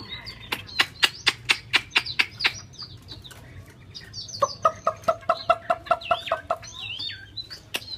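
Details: A Chinese hwamei, shown swaying and nodding, sings rich, varied whistled phrases with a run of repeated mellow notes and rising-falling sweeps, over a steady series of sharp clicks or taps.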